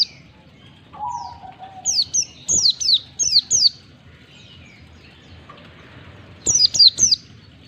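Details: White-eye sound meant to coax caged birds into singing: a short low steady whistle, then runs of very high, sharply descending chirps repeated in fast clusters, a quiet gap, and a final burst of three chirps.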